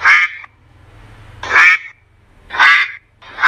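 A duck quacks four times, harsh nasal calls of about half a second each, roughly one per second, against a quiet background.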